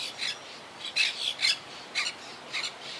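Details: Quaker parakeets in a wild colony nesting high in trees after hurricane Irma in 2017; a quick series of grating, raspy squawks, about six bursts in three seconds.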